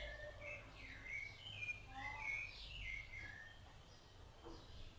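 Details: Rufous-bellied thrush feeding chicks gives a short burst of mellow whistled notes, several descending slurs, before fading into quiet with a low rumble beneath.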